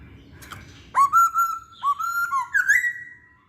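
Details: Masked laughingthrush song, used as a lure for other birds: a sharp rising note, then long steady whistles with slight breaks, ending in a buzzy upward slur that trails off.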